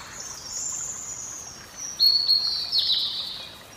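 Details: Indigo bunting: a high thin whistled series, a long sweeping note followed by brighter paired phrases near the end, with steady background hiss.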